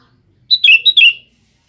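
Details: Sooty-headed bulbul calling to a female, a clear quick phrase of two paired notes, each stepping down from a high whistle to a lower one, heard close against silence.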